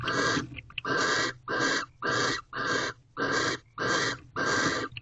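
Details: Wild barn owls mating in an owl box at Corral, 7:46 pm on 2/18/23, male delivering a second mouse half an hour after the first; rasping hissed screeches, steady series of about eight in five seconds.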